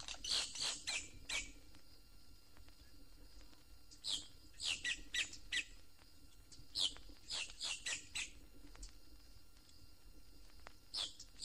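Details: Boat-tailed grackle in Florida, the largest Florida blackbird, which accompanies its whistles and crackling calls with fluffing feathers and fluttering wings; issued on a 1969 record. Clusters of sharp, high crackling and squeaky notes recur every few seconds over a steady background hiss.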